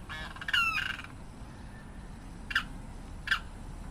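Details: A Limpkin (carrao) gives one harsh, drawn-out downward squawk near the start, then two short clipped notes later, over steady low background noise.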